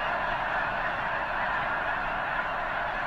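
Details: Snow geese massed in a huge flock at Potholes Reservoir ahead of their likely journey north, calling in a steady, overlapping chorus of honks.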